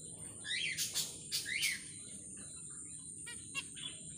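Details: A pair of zebra finches in a small aviary furnished with plastic plants, heard at night: two loud, nasal, downward-sliding calls close together, then softer short notes, over a steady high insect-like hiss.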